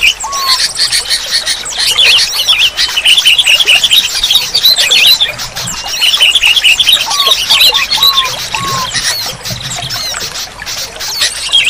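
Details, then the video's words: Sooty-headed bulbuls, meant to prompt silent kept bulbuls to sing: busy, overlapping bright chirps and chattering phrases, as if several birds sing together, with a few short rising whistles now and then. "Terapi Burung Kutilang Macet Bunyi || Kutilang Malas Bunyi Langsung Gacor"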